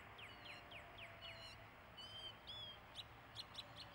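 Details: Mockingbird song: a varied series of phrases, first quick descending chirps repeated about every quarter second, then clear whistled slurred notes and short sharp upward notes, over a faint low background hum.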